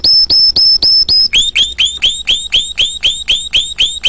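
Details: Canary song with five bright upward-hooked notes, followed by a faster run of slightly lower upswept notes, about four per second, all steady and evenly spaced.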